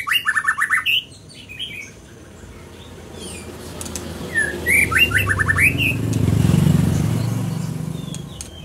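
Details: Scarlet minivet: several whistled bursts, an opening run of rapid repeated slurred notes, a pause, then another phrase, with a low rumbling background swelling toward the end.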